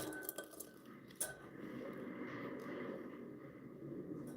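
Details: Indoors, dishes and cutlery clink against each other over a steady background hum, with a faint murmur of speech and no animal voice.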